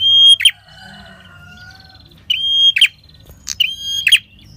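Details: Prinia song used as a lure for catching wild birds: long level high whistles that break into harsh buzzy trills, three phrases plus a short extra burst, with a faint low hum behind.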